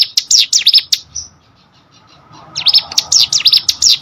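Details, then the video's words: Plain prinia in rice fields: a burst of high, quick slurred chirps breaks off for about a second and a half of near silence, then resumes just as fast and sharp. "burung ciblek sawah"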